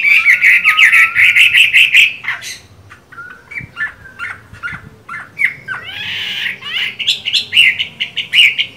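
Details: Moulting Chinese hwamei, caged, singing a fast rolling string of repeated whistled notes, then sparse clicks and short calls before a rich, burry, rising phrase and more rapid repeated notes.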